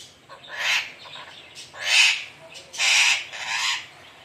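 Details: Alexandrine parakeet uttering a run of four drawn-out, hoarse, nasal squawks at roughly one-second intervals, rising and falling in loudness.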